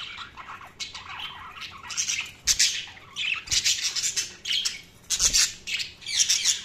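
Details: Budgerigars chirping loudly, a dense run of harsh, scratchy squawks and chattering notes in quick, uneven bursts throughout.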